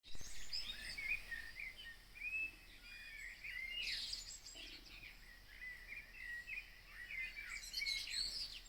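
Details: Pre-dawn birdsong at 03:30 on 22 June 2026 outside Copenhagen: several birds overlap in a busy chorus of high whistled phrases, quick trills and sharp chirps, with louder bursts around four and eight seconds over faint hiss.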